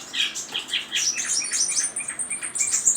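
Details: Chinese hwamei delivering fast, high, thin whistles and chirps in a dense, continuous jumble of bright notes.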